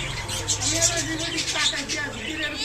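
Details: Pet talking myna kept as a cage bird, uttering raspy, speech-like mimicked words in a continuous run of breathy syllables with shifting pitch, close and loud, with faint low background hum.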